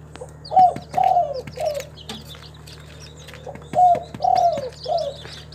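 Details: Spotted dove, locally called tekukur, a captive bird from a collection in Timika, Papua, cooing in two bursts of three mellow, slightly falling notes, separated by a pause of about two seconds, over a steady low hum.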